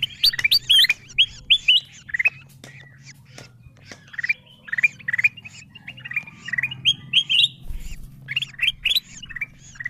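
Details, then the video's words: Golden bulbul (kutilang emas) lure calls aimed at wild birds: bursts of sharp, slurred chirps separated by gaps, over a steady low background hum. "Suara pikat kutilang emas memanggil burung liar paling ampuh dan paling di cari"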